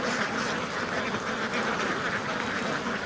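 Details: Farm ducks in a packed flock, a steady wall of rapid overlapping quacks with no gaps over a few seconds.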